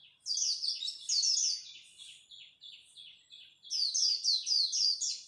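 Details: Japanese white-eye dueling in song at dawn: long bright runs of rapid, high, downslurred whistles, a softer stretch of lower repeated notes in the middle, then another loud fast run.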